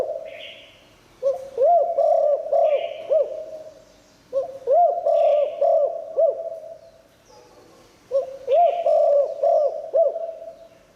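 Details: Liu tan style spotted dove song, used for luring wild doves: three phrases of mellow looping coos, each preceded by a short hissy burst, spaced about three seconds apart over a thin steady high tone.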